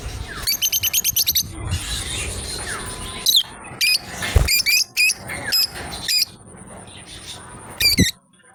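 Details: A lovebird pair playing together, with a quick rattling string of high, clipped chirps, then loud, separate shrill squeaks repeated about twice a second and a final sharp burst before falling silent.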